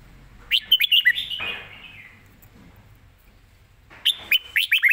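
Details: Caged red-whiskered bulbul singing a fast, well-phrased 'rik' style song, live: two bursts of quick whistled, slurred chirps, the first around half a second to two seconds in, then a quiet gap before a second lively burst of warbling notes.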